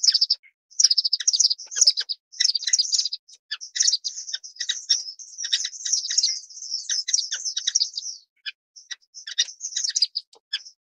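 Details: Dense, thin, high chirping from an orange-cheeked waxbill running almost without break, with a short lull before the final flurry.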